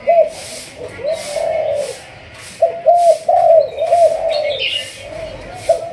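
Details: Malaysian spotted dove being trained as a decoy, thúc gù line; rapid, overlapping coos in quick succession, some drawn out, with faint higher chirps and pulsing background sound.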